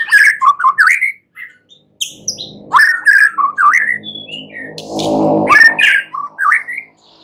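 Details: Night-time white-rumped shama song, a lure to draw replies: clear looping whistles rising and falling in quick phrases, with a low rumbling hum swelling underneath midway.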